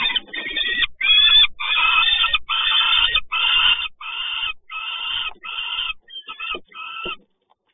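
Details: Peregrine falcon calling in Toruń on 30 May 2019 around ten in the morning: about ten rasping, scratchy cries in a steady run, growing shorter and weaker toward the end, then silence.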